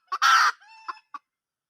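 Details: A wild junglefowl hen gives a short cluck, then a loud, rasping squawk, a thin drawn-out tone and two more clipped clucks.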